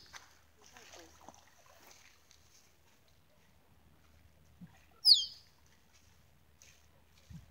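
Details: Mating call of a male Musk Duck courting females at Lysterfield Park, Victoria, Australia: after a quiet stretch with faint background rustles, a single loud, piercing whistle drops quickly in pitch.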